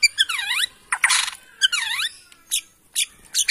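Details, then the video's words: Bornean white-rumped shama from Kalimantan forest, in song meant to provoke rival shamas: repeated swooping V-shaped whistles, each dipping then rising, broken by a harsh scratchy burst and short high chips. "Bikin Murai lain EMOSI!! ~ AKSI murai batu BORNEO ori Hutan KALIMANTAN"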